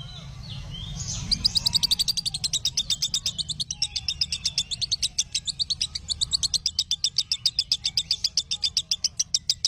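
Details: Lovebird song for training other lovebirds: after a brief faint start, a long rapid run of shrill high chirps about four per second, with low background rumble.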